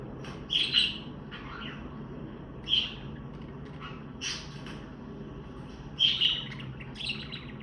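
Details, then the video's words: Parakeet contact chirping to reunite with hidden flock mates: around six high, quick chirps at uneven gaps, some doubled, plus softer twitters, over a steady low background hum. "Funny Parakeet Trick: Play Chirping Sounds to Find Your Lost Bird"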